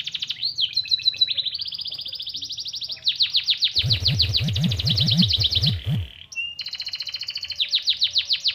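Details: Canary song borrowing white-eye (pleci) material, meant to stir birds' excitement. Rapid high chattering sweeps and steady trilled phrases, with a burst of low thumping pulses partway through; the bird sings almost without pause.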